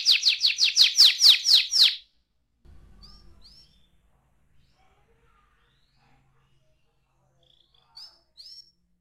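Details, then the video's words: Young canary delivering a loud, rapid trill of sharp descending notes for two seconds, then near silence broken by faint low rumbling and a few soft high chirps near the end. "ampuh membuat kenari muda gacor"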